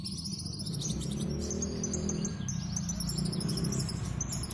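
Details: Sunbird in captivity singing vigorously through its repertoire of copied calls: faint high tinkling chirps and short rising notes above loud low hum and rumble.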